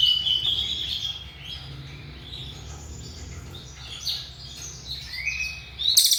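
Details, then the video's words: Cililin singing varied thin, high whistled notes and short slurred phrases, some rising, with quieter gaps and a sharp burst at the end. "BURUNG CILILIN SUARA NEMBAK TERPANJANG"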